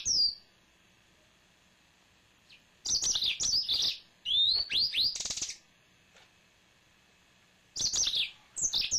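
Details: A pet male yellow-fronted canary gives a short high note, then after a silence bursts into a rapid run of bright, sliding whistles and twitters, then pauses again before a final lively phrase.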